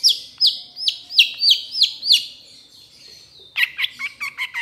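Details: Trotol-style cendet (Long-tailed Shrike) training song: a run of six or so curving whistled notes, each dipping then rising, followed after a short lull by quick buzzy chips.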